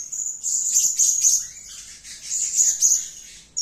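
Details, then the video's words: Blue-crowned hanging parrot (Loriculus galgulus) calling, giving thin, very high, shrill squeaky notes in two quick bursts, with a faint hiss behind. "Suara Serindit Gacor || suara gacor si Sayap Kuning memanggil"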